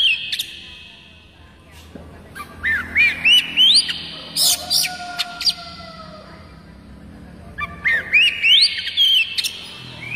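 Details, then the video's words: Village oriental magpie-robin song used as a tutor recording to set other magpie-robins singing: clear rising whistles and sliding phrases in bursts, with sharp clicks and a long, gently falling whistle between phrases. "Banyak kacer LANGSUNG BUNYI dengan suara khas kacer ini MASTERAN KUCICA KAMPUNG"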